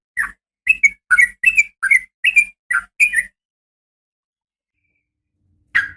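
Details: A female yellow-vented bulbul calls to a male with eight quick bubbly chirps in three seconds, then a long silence and one final chirp.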